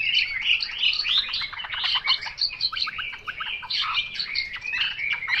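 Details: Chinese hwamei song, heard against a faint background hiss. Fast, chattering phrases of short whistled and clipped notes run on without a pause.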